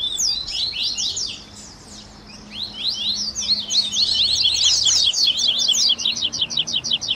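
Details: Double-collared seedeater song mix called 'baderna', used to stimulate captive birds: high slurred notes build into a long fast series of sharp, evenly repeated chips in the second half, with a faint low hum beneath.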